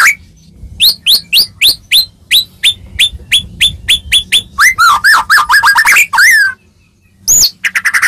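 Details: White-rumped shama song used to prompt other shamas to answer: steady run of rising chips about four per second, then a fast warbling phrase of looping whistles, a pause and a final sharp note.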